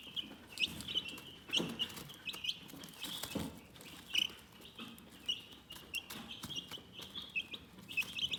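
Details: Calm, soothing chicken chirping: scattered high, thin peeps over a rustling, scratchy background, with several soft thumps.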